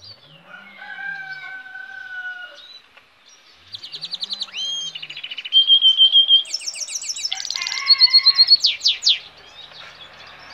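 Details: Goldfinch hybrid song starting with soft level tones, then building into rapid trills, bright looping whistles and loud rattling bursts, with a few low hums underneath.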